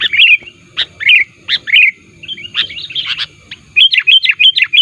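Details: Sooty-headed bulbul calls played to lure wild bulbuls, described as active and pressing rivals: bright, rapid chirped notes in short bursts, with a quick run of evenly spaced sharp chirps near the end.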